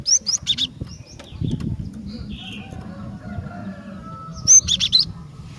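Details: Female Javan sparrow calling to males: sharp, very high, bright notes in a quick cluster at the start and again near the end, with faint chirps between and a steady low hum underneath.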